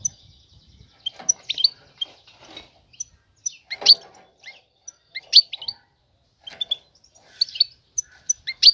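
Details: Female European goldfinch calling for a male to mate; sharp high chirps and brief twittering phrases repeated irregularly throughout, with gaps of quiet between.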